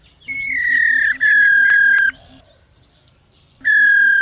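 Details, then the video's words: Female white-browed laughingthrush calling to stir males into song: loud, clear, slightly falling whistled notes in two long bursts, a pause, then another strong whistled phrase. "Tiếng KHƯỚU MÁI RO QUÁ HAY Kích Trống Hót Căng Mỗi Ngày.KHƯỚU MÁI RO RO RO."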